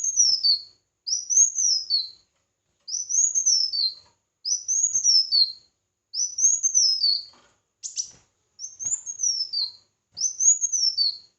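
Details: Red-whiskered bulbul in competitive singing, a long run of seven similar whistled phrases that rise, arch and fall, roughly every 1.5 seconds, broken once by a sharp brief chip.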